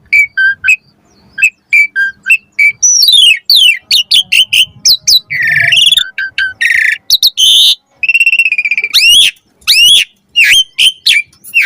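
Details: Long varied song of an Asian pied starling, played as a master for caged birds: spaced chip pairs build into dense harsh chatters, swooping whistles and rapid repeated high notes.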